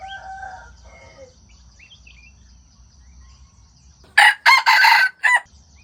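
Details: Wild jungle chicken crowing, a sound used to lure wild chickens into traps: faint chirping birds and a steady insect whine first, then a loud, harsh crow in four rough bursts over about one second.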